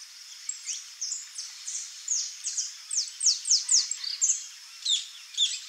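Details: A free-living flock of saffron finches (Sicalis flaveola) gives overlapping high, sharp chirps and short slurred notes, about two per second, forming a busy chattering chorus.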